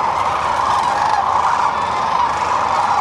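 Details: Massed sandhill cranes resting and feeding on the middle Platte River, central Nebraska, pausing on spring migration north; a thick wall of overlapping rattling, rolling calls from many birds at once, with no pause.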